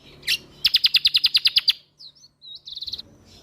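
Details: White-eye known as kecial kombok, Lombok, in a songbird training recording: one sharp note, then a run of about eleven loud, even chips, soft twisting whistles and a short faster trill.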